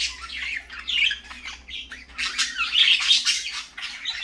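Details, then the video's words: Parakeets in the morning giving loud, harsh squawking calls in bursts, several birds chattering at once, a faint low hum in the background. "parakeets morning fun"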